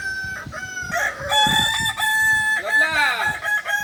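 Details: Joint training of Kukuak Balenggek chickens in Ampang Kualo, Kota Solok: loud, sustained crowing with clear harmonics that steps between pitch levels and swoops in a rising-falling arc near the end, with low knocks beneath.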